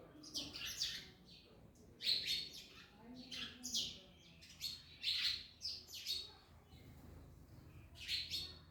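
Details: Parrots eating an orange keep up rapid, grating chirps in closely spaced clusters, loud and high-pitched, with short silences separating the bursts.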